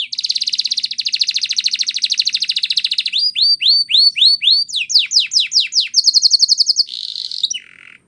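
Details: Belgian canary in training song, a long rapid rolling trill followed by rising and falling slurred whistles, a quick chattering run, a bright high trill and a short low buzzy ending, all loud and clear.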